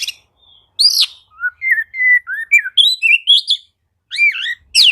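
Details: Oriental magpie-robin song used as a lure to stir quiet magpie-robins into singing: after a brief whistle and a pause, a lively run of clear slurred whistles rising and falling, with sharp chattering notes, then a short break and a final burst.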